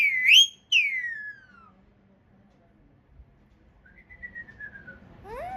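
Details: Loud parrot whistles: a bright rising note breaking into a long downward glide, a quiet pause, then a softer falling whistle and a rising squeak at the end, with low background rumble.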